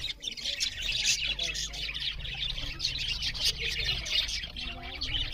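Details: Budgerigars chatter loudly as they eat, a busy flock of overlapping high twittering and grating chirps that runs without a break, over a low background rumble.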